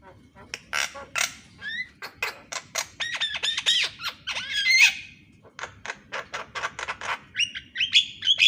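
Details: Javan myna morning song, used as training material for mynas that rarely sing: rapid harsh rasping notes mixed with sliding whistles and buzzy trills, fast and irregular.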